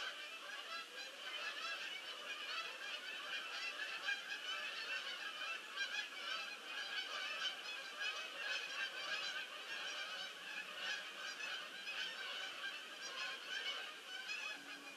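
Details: Many geese landing, recorded on 22 October 2015 at evening; a dense, continuous chorus of overlapping harsh honks fills the whole recording with no pause.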